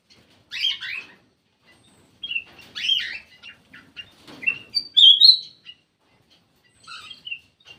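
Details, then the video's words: Black-crested bulbul giving a lure call: harsh chirpy bursts separated by pauses, small ticking notes, a loud clear whistled phrase midway, then soft twittering at the end. "SUARA PIKAT KUTILANG EMAS"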